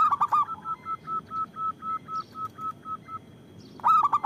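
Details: A loud local zebra dove sings to lure and spur on other doves. A quick burst of hooked coos leads into a long, even string of about thirteen short, clipped notes, a pause, then another rapid burst.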